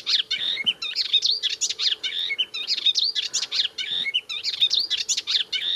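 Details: Melodious warbler (Hippolais polyglotta), a spring arrival, sings from its favourite tamarisk on the Bassin d'Arcachon, France: a fast, continuous babble of high chattering and twittering phrases without real pauses over a faint low hum.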